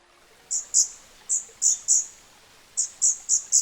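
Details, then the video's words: Scarlet-backed Flowerpecker (Dicaeum cruentatum) singing in its natural habitat in Southeast Asia, a restless bird always on the move: soft, thin, very high notes repeated rapidly in short clusters, about ten sharp ticks over a few seconds. "later in the video you can hear the song of this incredible species captured directly in its natural habitat"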